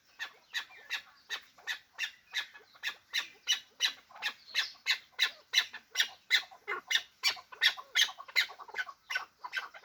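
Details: Hybrid fighting chukar partridge calling: a fast, steady series of harsh, clipped notes, almost three per second, each a broad burst with most energy high up, running unbroken for ten seconds.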